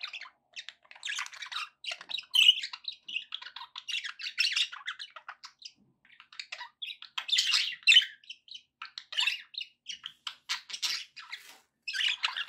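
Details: Budgerigars keeping a pet parrot company with steady chirping chatter, a rapid run of clicks, warbles and squawks in bursts of a few seconds with brief gaps.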